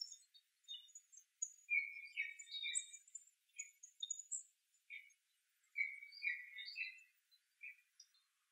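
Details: Pine Siskins in a birch on November 24, 2012: high, thin, overlapping chatter of short notes and brief buzzy phrases, several birds calling at once, little else heard.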